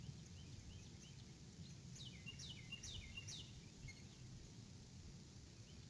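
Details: Adult female eagle calling as she arrives at her nest before leaving again, evening of 6 April 2018, live nest camera; a burst of about four high, sharp descending chirps with thin harmonics, fainter notes before, over steady low rumble.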